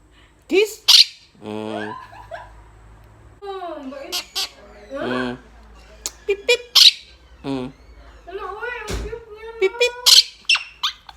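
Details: Blue Quaker parrot talking to its friends indoors: chattering, speech-like voiced phrases with wavering pitch, broken by sharp high squawks and short bright chirps at irregular intervals.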